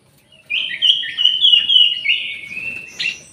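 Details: Caged orange-headed thrush in an aviary shared with jali birds, delivering a loud, rich run of high warbled whistles and fast trilled notes that blend into one unbroken phrase, ending with a sharp higher note.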